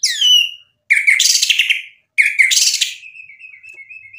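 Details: White-rumped shama singing as a lure: a falling whistle followed by two loud, buzzy, scratchy bursts, then a soft, wavering high whistle fading out.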